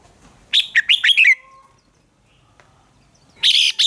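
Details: Red-whiskered bulbul singing in a contest, a recording for spurring other birds: a lively phrase of five rolling whistled notes closing with a falling slur, a pause, then loud strident notes.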